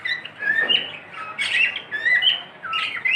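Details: Short clear whistles from a pet cockatiel, several rising and falling notes strung together in quick succession.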